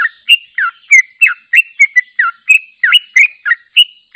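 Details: Unedited long 'ropel' song of a sooty-headed bulbul, used as training song: unbroken chain of about fifteen bright, slurred whistles, alternating up- and down-sweeps at a fast steady pace, no background noise.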